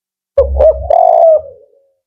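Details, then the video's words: Male spotted dove singing the firm, rhythmic 'Kuk 4' style. Two short soft coos lead into one long, level, mellow coo that fades away. "Kenali Lebih Dekat: Tekukur Kuk 4 Jantan dan Karakteristiknya"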